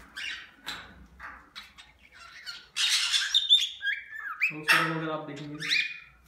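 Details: Cockatiels calling in an aviary: shrill, rising whistled squawks, some with stepped pitch, come in quick bursts in the second half, after soft speech and scattered chirps at the start.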